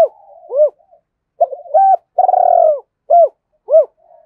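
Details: Spotted dove kept as a decoy, calling to lure wild ones; a clipped arching note, then a wavering note, a higher hoot, a long purring coo and two more short arched notes.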